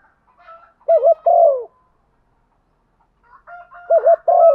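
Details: Female spotted dove giving her rainy-season call to stir males: a deep double coo and long falling croon, a pause, then another phrase begins under a faint steady higher tone.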